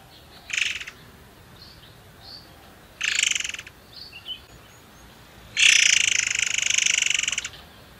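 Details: Forktail known locally as murai air, recorded as a lure to get other birds singing: two short harsh buzzy bursts, soft chirps between, then a loud two-second rattling screech.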